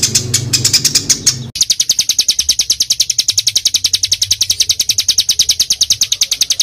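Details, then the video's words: Songbird tutor recording for pet birds. A noisy, rougher opening gives way to a steady, machine-like stream of fast, high, clipped notes, densely packed 'tembakan' style. "MATERI JROJOS RAPAT SEKALI TARIK LOSSS! BURUNG KECIL FULL TEMBAKAN MASTERAN BURUNG FIGHTER"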